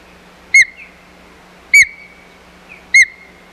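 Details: Osprey calling at the Hog Island nest, 4 May 2020, during a fight over the nest: three piercing whistled yelps about one second apart, each trailing into a thin drawn-out tone, with faint hum beneath.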